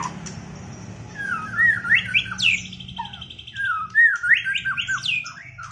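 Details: White-rumped shama just out of moult, singing in a duel: varied loud whistled phrases with rising and falling slurs. Short bursts are repeated, and pauses fall between them over a low background hum.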